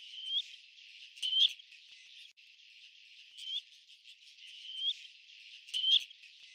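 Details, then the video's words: Black-necked grebe giving short, rising whistled notes, about one every second or two, over a steady high hiss like insects or background noise. "SOUND OF A BLACK NECKED GREBE 🔊 What does a black necked grebe sound"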